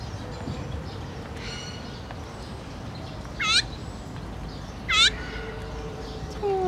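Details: Complaining azure-winged magpie, 17 July 2017: two harsh, looping calls about one and a half seconds apart, against steady background noise and a faint low hum.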